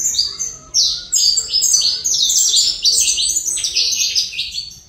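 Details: High, energetic song of a saffron finch from Colombia, a dense stream of shrill chirps and short downslurred notes with little pause.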